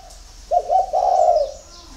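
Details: A single spotted dove phrase recorded at dawn on a farm in Ba Vì, Hanoi, Vietnam: a short stuttered lead-in running into a sustained, gurgling low coo.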